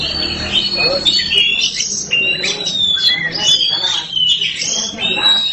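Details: Black kacer, the Oriental magpie-robin, kept and singing without pause. Repeated bright whistles and rasping chatter come in quick phrases, with some human speech in the background.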